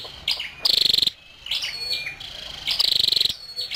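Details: Calls of a female scarlet-backed flowerpecker: two brisk, high-pitched trills of rapid clicks with thin chirps and a thin drawn-out whistle between them, after a brief pause.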